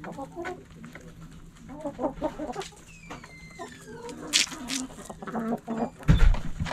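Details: Backyard hens clucking with short chattering notes throughout, a thin sliding whistle-like call midway, bursts of hissy noise and a low thump near the end.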